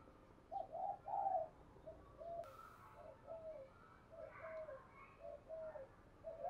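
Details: Distant-sounding spotted dove cooing in the double-ended gáy đôi hai hậu style, a call used to lure wild birds. Soft repeated low coos under a constant hiss, with a brief click midway and faint higher notes.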